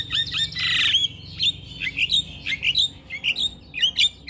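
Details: Male Javan myna morning song with full fill-in phrasing: a harsh rasping burst, then a string of short squeaky whistled chirps spaced unevenly, roughly half a second apart.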